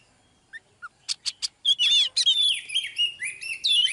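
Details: Oriental magpie-robin, a female used to draw a male into full, heated song, recorded live. Two soft short notes and three sharp clicks lead into a dense run of varied whistled, trilled and buzzy high phrases that continue without pause.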